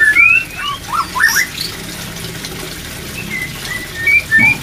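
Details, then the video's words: White-rumped shama song played to raise breeding drive: loud clear whistled notes, some rising slurs and quick upward sweeps, then softer spaced whistles and a final pair of bright notes. "TERAPI MENAIKAN BIRAHI MURAI BATU"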